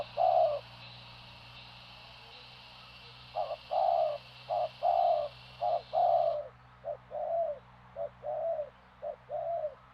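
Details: Spotted dove, locally called tekukur, from Madura, cooing in short mellow hollow phrases, a lone coo then clusters of paired notes after a pause, with a steady high hiss for the first six seconds and a low hum.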